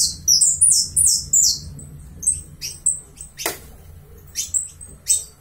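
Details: Saffron finch from Uruguay opening with a rapid burst of high, falling chirps, then scattered, sharper single notes, with one short broad clicking noise midway.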